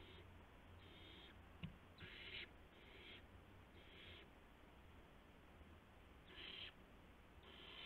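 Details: Night-time owl nest recording from March 19, 2016, with parents delivering mice and a gopher to owlets; about eight fairly soft, rasping hiss bursts come in quick uneven succession, with one short click and constant low hum.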